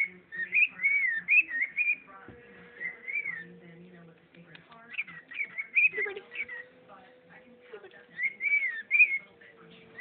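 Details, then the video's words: Pet bird performing the whistled melody "bird is the word", repeated looping whistle phrases in several bursts, with soft steady low tones and faint voice-like sounds between them. "My bird sings bird is the word"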